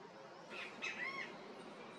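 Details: At its nest in an umbrella tree in São Paulo, Brazil, in October 2023, a great kiskadee gives a short, harsh, squawky call with a brief rising-falling whistled note, lasting under a second against quiet outdoor background.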